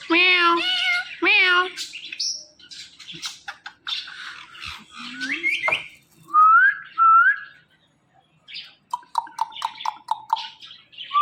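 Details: Pet male Indian ringneck parakeet talking: short harmonic, speech-like syllables, then clear rising whistles, harsh squawks and a quick run of repeated chattering notes, with brief quiet gaps between bursts.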